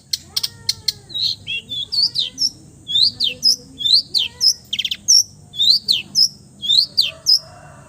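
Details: Long-tailed shrike, a bird said to mimic every kind of birdsong, delivering a varied, sweet high song of slurred whistles, sharp rising chips and quick trills in tight bursts with brief pauses.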